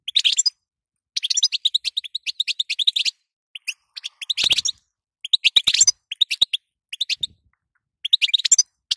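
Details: Twittering calls of a female European goldfinch, used to make the male sing. High, liquid chirps run in fast strings separated by short gaps, with occasional louder, harsher rasping bursts.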